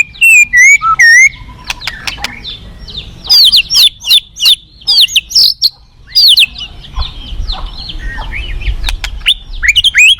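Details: White-rumped shama singing high, rapid whistled and twittering notes in quick bursts, with clicks between phrases and a low rumbling background in the later part.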